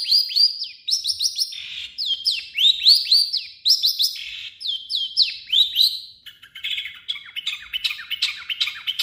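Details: Long-tailed shrike singing its native phrases and imitations of other birds: a continuous run of sharp, downslurred whistled notes repeated several times a second, shifting into scratchy, jumbled chatter in the last few seconds.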